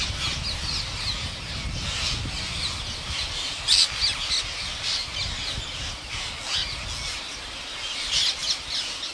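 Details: Parrot giving a few loud, harsh squawks near the four-second mark and again toward the end, standing out over a steady wash of dense high chattering from many birds and a low rumbling background.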